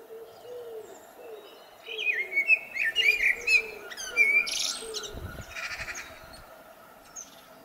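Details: A blackbird in spring gives a mellow, fluting warble that runs into bright, chattering high notes. Soft, low dove cooing is heard at the start, and there is a brief thump.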